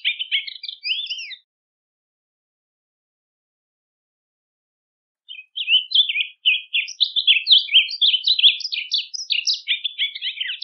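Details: Rusty-collared seedeater song used for teaching a bird: a short burst of warbled notes, a long silence, then a fast run of slurred, twittering phrases building to the end.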